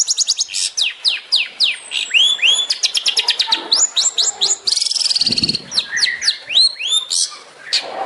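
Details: Long-tailed shrike 'tembakan' song from a master recording for training songbirds: fast rows of sharp high chips and falling whistles, a brief buzzy rattle midway, then more varied squeaky slurs.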